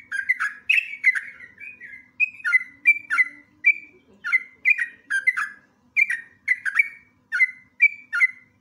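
A Yellow-vented Bulbul gives bubbly, chirping phrases of short, slurred mid-high notes, repeated two or three times a second. A faint low hum sits beneath.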